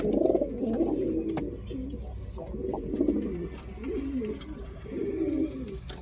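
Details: Pigeon cooing low and throaty, a string of soft rolling coos close together with a slight rise and fall, over a steady low background hum.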